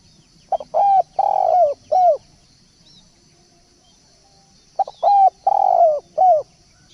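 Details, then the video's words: Decoy call of a spotted dove, two phrases of resonant cooing notes, a short lead-in coo followed by longer drawn-out coos and a final dropping note, separated by a few seconds of quiet over faint hiss. "pancingan burung balam/tekukur"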